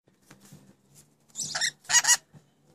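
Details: Pet rainbow lorikeets, newly acquired, chattering in mimicked speech: a rough buzzy burst followed by two sharp harsh syllables, with faint low background hum.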